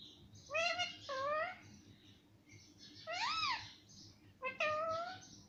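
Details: A parrot trained to say mummy and papa: clear double-syllable utterances with rich harmonics, an arched middle word, then a final two-part phrase, recorded in a quiet room.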